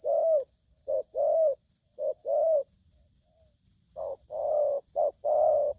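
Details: Aggressive wild-caught spotted dove giving low, hollow coos in two phrases. Each phrase alternates short clipped notes with longer swelling ones. A faint steady high tone runs throughout.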